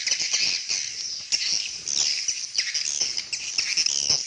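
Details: Swiftlets communicating, giving dense high chirping and twittering calls that overlap continuously throughout.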